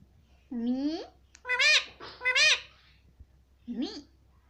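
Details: Indian ringneck parakeet kept as a pet, saying "mummy": three or four short high nasal word-like calls with bending pitch, separated by gaps, in a quiet indoor room.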